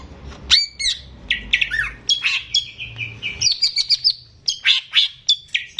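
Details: Caged greater green leafbird singing vigorously, recorded by its keeper as a lure to prompt young birds. Varied loud whistled notes and sharp chirps jump between pitches in quick phrases, with a faint low hum indoors.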